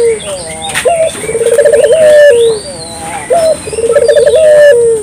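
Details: Puter dove, local and clear, for luring birds in the morning, afternoon and night: a low coo, then two phrases of rolling trill ending in a long level note that drops, with light background chirping.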